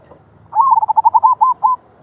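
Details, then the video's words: Zebra dove singing in the rolling 'gulung' style: one rapid run of about nine soft, clipped coos on an even pitch, lasting just over a second, with a quiet background. "merbok suara gulung"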